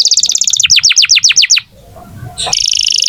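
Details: Canary in strong song, played to get young or stalled canaries singing. A quick high trill runs into a row of downslurred whistles, then a short pause before a bright, rapid high trill.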